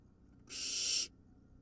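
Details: Wild barn owl nestling swallowing a large vole, one loud, breathy, rasping hiss of about half a second, steady in tone, against a quiet low hum.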